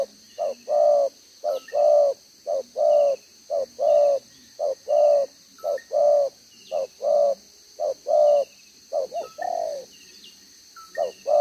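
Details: Spotted dove of wild stock kept as a decoy, bead collar in two rows, delivering 'gáy 1 hậu' one-ending cooing, June 2023: steady series of soft low coo pairs, brief pause near the end, faint bird chirps in background.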